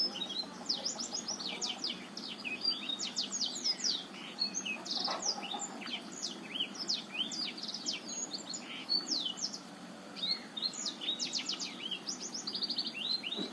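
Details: Black-throated canary of Botswana origin, song used to coax a reluctant male into singing: a long, continuous, very high twittering stream of fast slurred notes and short trills, with barely a pause.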